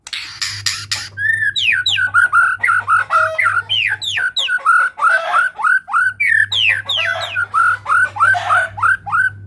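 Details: White-rumped shama of the Medan type in full song: a rapid, regular series of loud slurred whistles, each sweeping down, about three per second, opened by harsh buzzy notes, over a low hum.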